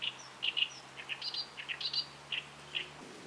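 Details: On a tidal flat at high tide with mudskippers around, a Great Reed Warbler utters jerky, harsh paired chirps and squeaky higher notes in an irregular stuttering sequence, with a faint low hum beneath.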